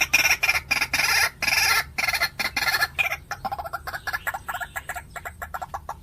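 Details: White-breasted waterhen lure call: dense harsh, broadband croaking bursts in quick succession for the first two seconds, then shorter choppy notes repeated about twice a second, fading slightly toward the end.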